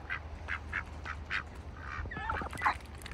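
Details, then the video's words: Ducks in a bucket during winter on a farm: five evenly spaced, soft nasal quacks, then a burst of squeakier, higher calls near the end over a low hum. "ducks in a bucket - wintertime"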